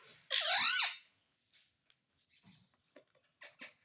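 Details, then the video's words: Pet parrot talking indoors, said to say mummy and papa: one loud squeaky, wavering syllable lasting under a second, followed by faint clicks and short soft sounds in a quiet small room. "मम्मी पापा बोलने वाला तोता _ Mummy ka Pyaara Mitthu _ Parrot Talking Video"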